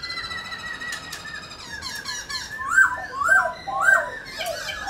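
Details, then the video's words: White-browed laughingthrush song used to stimulate pet birds to sing: slurred whistled phrases, then three loud upslurred notes about half a second apart, punctuated by sharp clicks and brief chips. "khướu múa hót bạc má"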